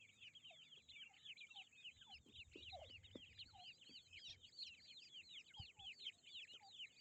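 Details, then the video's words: Baby grey francolins peeping nonstop: many rapid, high, thin downslurred cheeps from several chicks overlapping densely, with occasional lower chirps and light knocks, over a steady faint high-pitched hum. "Grey francolin baby | Teetar chicks"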